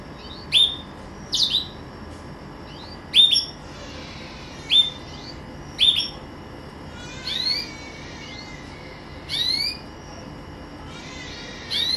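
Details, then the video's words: Pet green canary giving spaced high chirps and short sweeping notes, roughly every one to two seconds, over a steady low background hiss. "Kicau Merdu si KENARI Ijo"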